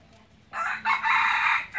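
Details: Red junglefowl decoy cock kept for hunting wild junglefowl crows loudly: a harsh, strained crow in several linked segments lasting about a second and a half, starting after brief quiet.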